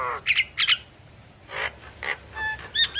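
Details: Javan myna calling while nodding: scattered harsh, squawky notes with short rasping bursts and pauses between them.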